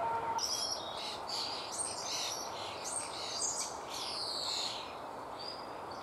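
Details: Common starling, a single nestling nearly ready to leave a woodpecker nest hole, calling for food as the parent is slow to return: dense rasping and whistled high notes, overlapping and continuous, over steady background hiss.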